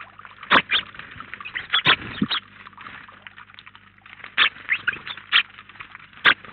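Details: House sparrows, a flock of up to 19 birds at once at a feeder in Collado Villalba, give short, bright chirps in scattered bursts, a few loud notes standing out over softer chatter.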